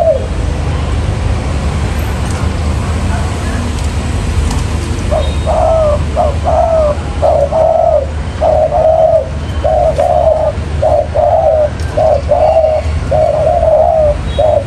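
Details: Spotted dove calling, a recording used to lure wild doves into traps. Quiet rumbling background at first, then from about five seconds a steady run of low paired coos, each a brief note followed by a drawn-out falling one.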